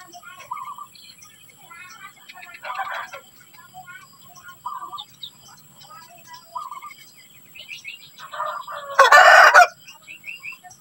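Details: Society finch during hatching activity, giving quick, high chirps and short twittering bursts about every second, with one loud, harsh rasping burst near the end.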